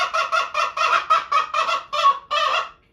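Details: Araucana chicken kept as a household pet, which varies its calls by situation: loud, rapid, harsh squawking notes repeated about three times per second, each broad and raspy, forming a continuous excited series that stops abruptly.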